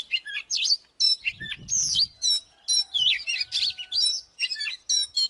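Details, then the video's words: Singing oriental magpie-robin used to trigger fights: bright, jumpy whistled notes and slurred phrases delivered in quick succession, with a brief low rumbling noise early on. "เสียงนกกางเขนบ้านหรือนกบินหลาขี้ควายใต้ 01# Chòe than mồi Kích BỔI ĐẤU || Choè than HÓT - ĐẤU"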